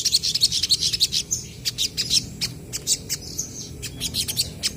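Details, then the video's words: Energetic sogon, or crested jays, trading calls to draw responses from untrained birds. Quick high ticking notes repeat steadily, about three per second, broken by short rattling runs. "SOGON GACOR BERSAHUTAN,BURUNG BAHAN DIJAMIN CEPAT RESPON BUNYI!!!"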